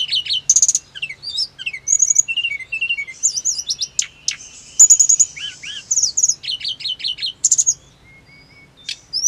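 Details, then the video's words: Hill blue flycatcher in long varied song, used to make caged birds answer: tumbling whistled phrases, thin high slurs and sudden buzzy notes, fading to near quiet before a final upslurred whistle. "TLEDEKAN GUNUNG CEPAT NYAUT EMOSI"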